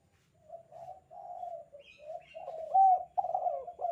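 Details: Spotted dove in full voice, giving the 'kuk 2' style call used as a tutor recording for training doves: low, mellow coos rising in strength, ending in a loud rolling phrase, with faint higher chirps of another bird.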